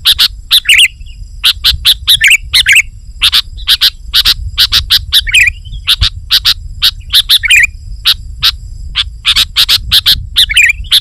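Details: Sooty-headed bulbul singing vigorously in a rival-challenging style used to lure wild bulbuls: dense, loud bursts of sharp chirps and bubbly twisting notes, with short gaps between phrases and a low rumble underneath.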